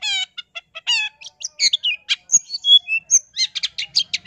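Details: Long-tailed shrike delivering a lure song to stir other shrikes into answering: nasal, ringing notes repeated at the start, then a quick jumble of whistles, squeaks and harsh chatter.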